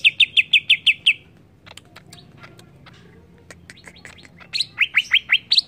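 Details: Greater green leafbird in agitated song: a fast series of six bright whistled notes, a quieter stretch of scattered clicks, then loud down-slurred whistles repeated rapidly.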